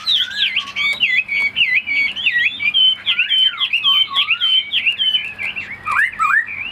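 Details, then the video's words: Tame captive Chinese hwamei in full song: a fast, continuous stream of bright, twisting whistles and slurred warbles, changing pattern every fraction of a second, varied loud phrases with brief dips, a low background hum. "Hoạt Họa Mi"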